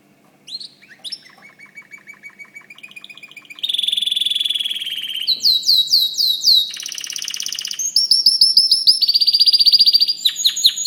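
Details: White canary in full song: a few soft chirps, then a long steady rapid trill, followed by bursts of loud sweeping notes and sharp repeated rattling phrases.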